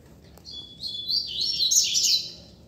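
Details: Double-collared seedeater flying free on a street, singing one rising, high twittering phrase of blurred whistles that swells and fades over two seconds, over a soft background hum.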